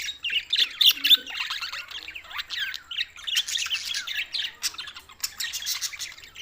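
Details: Budgerigars recorded June 7, 2024, tagged Larkana, Sindh: dense, overlapping chatter of quick warbled chirps and scratchy squawks, steady throughout with a few brighter peaks near the one-second mark.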